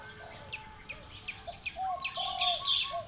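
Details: Spotted dove (derkuku) starting a kuk 2 coo late in the recording: soft hollow notes building to a longer, louder coo, overlapped by bright chirps and a sustained whistle from other birds.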